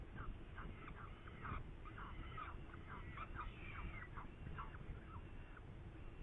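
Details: Saker falcon in Hungary on 8 May 2019 around a prey event logged at 10:04, giving dense runs of short harsh chirps and calls throughout, over a heavy low background rumble.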